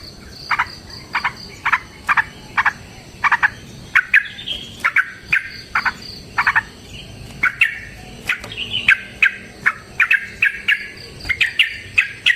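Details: Yellow-vented bulbul in a prolonged fighting song for provoking other bulbuls to sing: regularly spaced, clipped mid-pitched notes about twice a second, mixed with slurred, rising bubbly phrases, above a faint high whistle.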